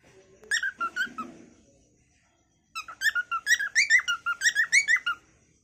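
A cockatiel sings a quick run of bright, warbling whistles with harmonic overtones.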